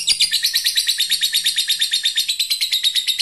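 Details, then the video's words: Ngekek call of a fighter lovebird summoning a rival: a continuous, fast, even chatter of sharp high notes, roughly nine each second, sustained through the whole stretch without a break. "Suara burung Lovebird fighter memanggil musuh lanjut ngekek"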